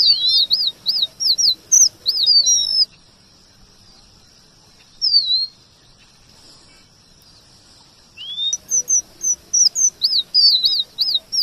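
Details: Rolling combination song of a male red avadavat used for training kacer: fast looped whistled notes, a quiet stretch broken by one falling whistle, then a rising slide into another rapid burst of piping loops.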